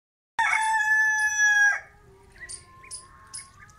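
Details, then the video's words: Loud rooster crow: one strong harmonic call, steady and slightly falling, lasting about a second and a half, followed by quieter clucking and soft chirps from other birds. "Rooster Crowing loud"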